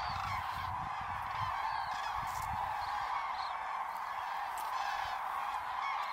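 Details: A large flock of common cranes at a roost in Hungary in mid-October gives a dense, unbroken chorus of overlapping rolling, trumpeting calls, steady throughout with no pauses.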